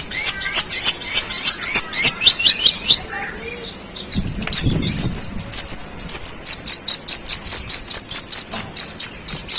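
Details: Long-tailed shrike delivering long, harsh sparrow-imitating phrases: dense runs of sharp high chirps in quick succession, briefly broken by a low rumbling thump midway, then resuming as rapid bright chirping notes to the end.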